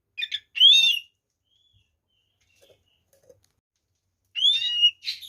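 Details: White-rumped shama, or kacer, song meant to trigger other shamas: two short bursts of chirps and upslurred whistles, with a long near-silent gap between them.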